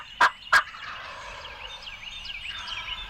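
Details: Young wild turkey gobblers, three together, coming into decoys on a spring 2020 Illinois turkey hunt. Two loud, harsh gobble bursts open the recording, followed by steady chirping and whistling of small songbirds in the background.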